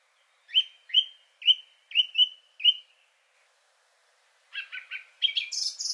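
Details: Third male Song Thrush singing a richer song, some sounds recalling a nightingale: one whistled note repeated six times, a pause, then a rapid chattering phrase rising to high squeaky notes.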